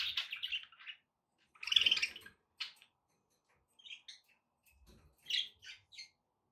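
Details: Budgerigars kept as pets chirp and squawk in short separated bursts, a louder raspy call near the middle, then a few clipped twittering notes, with a soft low thump.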